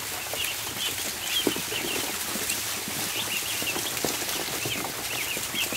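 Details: Crowd of ducklings feeding indoors in a barn, dense stream of thin, high chirping peeps from many birds at once, with soft shuffling and pecking noises.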